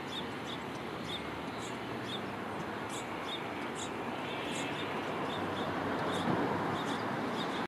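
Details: Two 2-week-old Pied-billed Grebe chicks, hatched on a floating tule nest, give thin, high peeps about twice a second over a steady rushing background of wind or water. San Lorenzo River, Santa Cruz, California, August 23, 2015.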